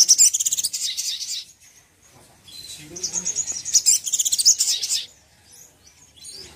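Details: Provocation song of the sogok ontong, meant to anger a sogon: two long bursts of very high, fast, buzzy twittering, each lasting over a second, with a brief quiet pause between them.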